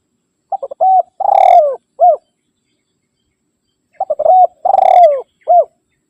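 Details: Spotted dove calling to rivals, a recording used to lure wild doves and to train caged birds: two cooing phrases, each with quick short notes, a long rolling descending coo and a clipped final note, separated by silence.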